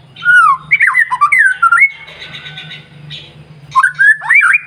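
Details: White-rumped shama morning song, played to provoke other birds into singing; mellow, looping whistles slide up and down, followed by a soft buzzy passage and more swooping whistles, with a low hum behind.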